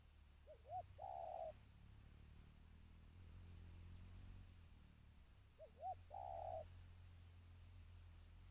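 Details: Trained spotted dove calling twice, about five seconds apart. Each phrase is two quick rising-falling notes and then one drawn-out level coo, with a steady low rumble behind.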